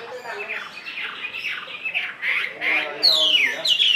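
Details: Caged Chinese hwamei giving harsh, scratchy squawking phrases repeated several times a second, ending in clear, sweeping whistled notes that slide downward.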